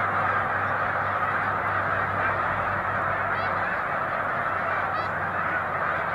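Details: Mass takeoff of a large snow goose flock disturbed by an approaching boater, March 2021: a dense chorus of honking calls filling every moment, a low motor drone beneath, and two faint higher chirps.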